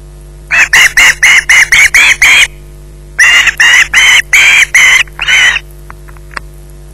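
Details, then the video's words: Evening at the Loch Garten nest, an osprey clutching a fish screeches in two rapid bursts of rough, piercing squeals, about fourteen calls in all, with a steady electrical hum in the background. "Bynack screeching in possession"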